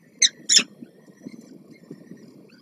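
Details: At a peregrine falcon nest with chicks on Warsaw's Palace of Culture and Science, 26 April 2024, as the male delivers food and the female feeds the young: two loud, harsh, high squawks half a second apart, then faint low rustling and soft thumps.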